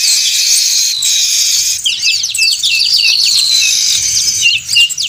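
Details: Weavers chattering loudly in a lure recording for trappers: a hissy wash of overlapping high calls, then a run of quick, clear up-and-down chirps standing out above the chorus.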